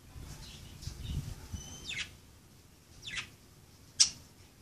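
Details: Pet budgerigars at play give a few falling chirps about a second apart, ending in a sharp loud chirp, over a quiet low rumble.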